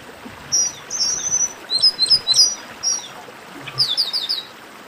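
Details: 'Baderna' of chestnut-capped blackbirds, played to excite singing birds; thin high whistles and chirps overlap in loose clusters, with a final quick run of bright notes.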